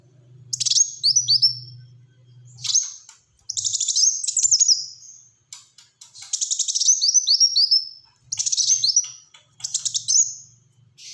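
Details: Black-throated sunbird (kolibri wulung), kept as a hobby bird, in lively 'gacor tembakan rapat' song of tight rapid bursts: high chirps and descending slurred whistles in clusters separated by short pauses, over a faint low hum.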